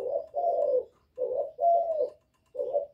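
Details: A spotted dove gives a provoking call-coo in low, husky phrases, about five rolling notes in three seconds with brief pauses between groups.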